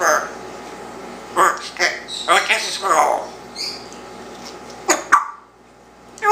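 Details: Pet one-year-old male Congo African grey indoors mimicking human speech about his tail, kisses and dog; a run of rapid speech-like syllables with clicks, ending in two sharp bursts before near silence.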